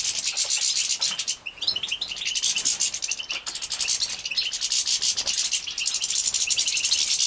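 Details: Hand-reared or aviary-bred young European goldfinches at feeding time in Poland, 2017, keep up an unbroken, high, buzzy chattering with a few brief chirps mixed in.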